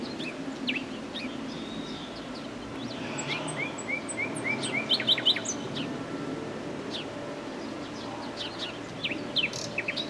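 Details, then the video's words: Singing common nightingale over a droning, humming background: a run of five upslurred whistles repeated evenly, then a brief high trilled burst and scattered thin, sharp notes. "BEST NIGHTINGALE SONG,Nachtegaal -Common Nightingale singing,BÜLBÜL SESİ DİNLE"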